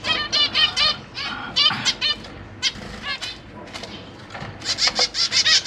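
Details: Zebra finch parents with three juvenile and three newborn babies in a cage: nasal honking calls in quick clusters, some overlapping, a quieter stretch midway, then rapid louder calls at the end.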